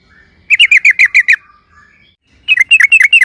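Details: Rapid bubbly 'ropel' bursts from a trucukan, or yellow-vented bulbul, sung loudly as a lure for other birds: six quick slurred whistles, a short pause, then a second run of tumbling notes.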